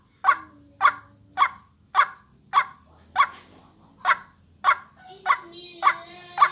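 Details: Lure call of a white-breasted waterhen for vocal training: eleven harsh clipped notes at a steady half-second rhythm. Faint low hums between notes, and a rich sustained tone near the end over a persistent high whine.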